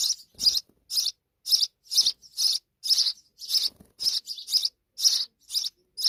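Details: Pakistani sparrow chicks waiting for insects from a quickly returning mother chirp insistently, with about two high, harsh, buzzy notes each second in an even series and brief quiet between calls.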